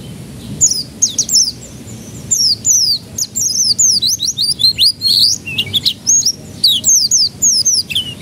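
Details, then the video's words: Canary singing as a lure to make young canaries start singing: continuous high, rapid chirps and sweeping whistled notes in quick varied phrases, with a faint low hum beneath. "Pancingan Kenari Paud Agar Cepat Pecah Suaranya"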